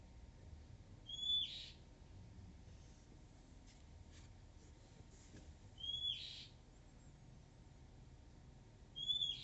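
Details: Shy wild Oriental magpie-robin repeating a short, pure high whistle with a brief upper note, three times about four seconds apart, amid soft scratching and rustling sounds.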